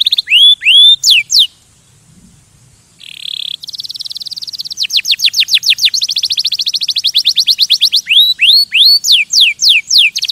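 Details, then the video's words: Male canary singing to stimulate and agitate other birds for mating: looping whistled phrases, a short steady buzzy note, then fast repeated downward-sweeping rolls speeding into a trill before the looping whistles return. "Kanarienvogel singt um Vögel zu stimulieren"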